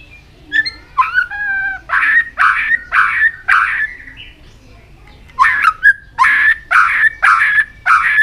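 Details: Training song of a white-rumped shama, meant to push a bird into quick, full singing: clear whistled notes with overtones open, then a rapid run of rough, buzzy bursts, a brief pause, and another fast volley of harsh notes.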